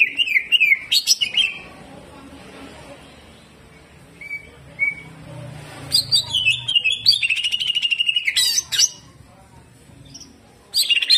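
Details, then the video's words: Greater green leafbird delivering hyper, restless jamtrok bursts with rough 'tembakan kasar' shots: clusters of sharp high chips and bubbling whistled runs, separated by quiet pauses with two soft isolated notes. "LANGSUNG JAMTROK || CUCAK IJO GACOR HYPER TEMBAKAN KASAR"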